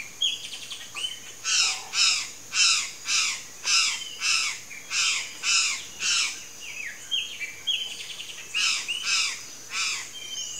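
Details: Palm tanager (sanhaço-do-coqueiro) singing: a steady series of harsh, buzzy, rasping notes repeated about twice a second, with a brief pause mid-phrase, mixed with thinner down-slurred squeaky notes.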